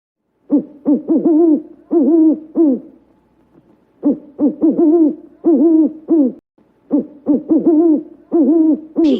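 An owl hoots in three bursts of four or five quick, hollow, low notes, each burst separated by a short pause; no other sounds.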